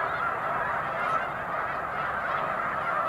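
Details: Large flock of snow geese taking off en masse as a boater approaches, March 2021: a dense, continuous wall of overlapping nasal honks from many birds, steady and unbroken throughout.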